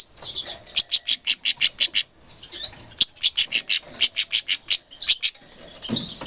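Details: Goldfinch mule, described as angry: bursts of sharp, high, evenly spaced chirps in quick runs of eight or so notes, separated by short twittering pauses.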